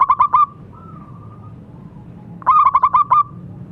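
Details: Local zebra dove singing to encourage silent doves: a short pulsed coo, a smooth level tone, then a longer run of about seven quick stuttered notes.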